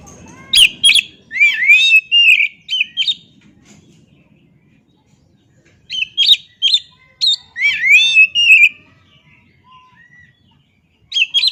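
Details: Oriental magpie-robin song in a tutor recording for caged birds: loud, varied whistles and slurred upswept notes delivered in rapid bursts, with short pauses between groups of phrases.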